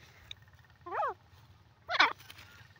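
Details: Grey francolin in a jungle: two loud, harsh, ringing notes about one second apart, each a quick stack of descending tones, over faint low background hum.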